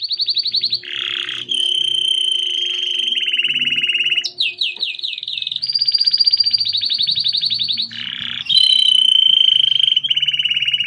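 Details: Grey Belgian canary in continuous song: a chain of sustained rolling trills at shifting pitches, including a run of quick downward slurs, each tour held for one to three seconds.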